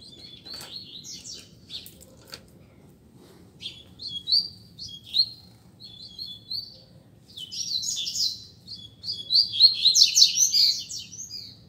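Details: Caged Double-collared Seedeaters in a singing contest: a long string of thin whistled and buzzy phrases, broken at first and then running together into a loud, rich, rapid finale over low background hum.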